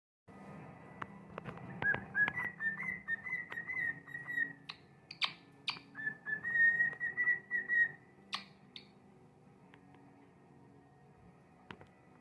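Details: A pet cockatiel whistles a warbling song of wavering tones, broken by sharp clicks and chirps.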